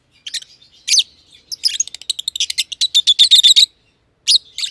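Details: Two lovebirds of green personata and green pied personata colouring in an aviary; scattered squeaky notes speed into a fast rattling series of about four chirps a second, then short calls.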